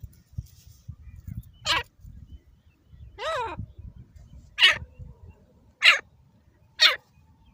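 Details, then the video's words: Captive Dakni grey francolin, a fighting bird, calling harshly: single grating notes with irregular gaps, one a stacked, wavering note, over low background rumble. "دیسی دکنی تیتر /ہاتھ سے لڑنے والا تیتردکنی"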